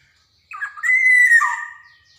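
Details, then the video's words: Javan black-naped oriole singing energetically, played as a lure for untrained birds: a single drawn-out, fluty whistle holding level before sliding down to a lower note. "SUARA PANCINGAN KEPODANG JAWA | kicauan kepoxang emas gacor"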